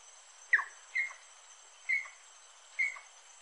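Little wood-rail giving four short, sharp mid-pitched notes spaced about a second apart, over a steady high insect hiss.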